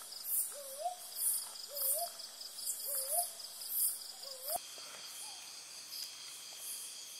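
A brown boobook gives four rising, hollow 'hoo-wup' notes, about one a second, over a steady high drone of insects.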